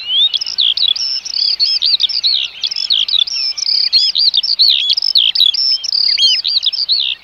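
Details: Eurasian oystercatchers in the Netherlands pipe without pause, shrill high kleep notes tumbling over one another in a fast, excited stream, with no other sounds standing out.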